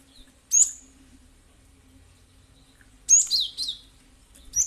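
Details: Cinereous tit, played as a lure to make other birds answer and call. Two short bursts of sharp, high chirps, the second a quick run of falling notes, separated by about two seconds of near silence with faint low hum.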